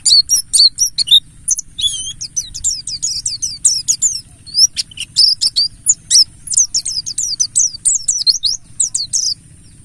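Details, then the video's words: Buxtoni mountain white-eye singing a wild-type lure song to get other white-eyes calling: nonstop high, squeaky twitters and quick slurred whistles tumbling over one another for ten seconds. "Semua Pleci Pasti Langsung Gacor || Pancingan burung Pleci Buxtoni Ngalas"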